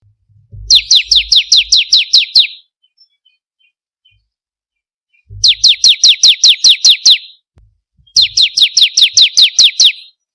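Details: Bar-winged prinia song, used to lure or train birds: three clean bursts of about eight to ten rapid, high, downward-sweeping chirps separated by silent gaps.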